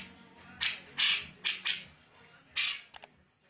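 A Grey-cheeked Bulbul gives four loud, rasping, scratchy notes in quick succession. A short pause follows, then a final harsh burst and two faint clicks.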